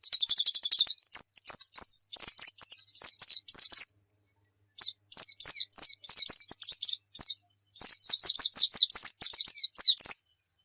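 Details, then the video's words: Javan white-eye pancingan song for tutoring birds to sing: a fast high trill, then many rhythmic slurred notes in bursts separated by short pauses, very high and thin throughout. "Pancingan PLECI Bikin Cepat GACOR"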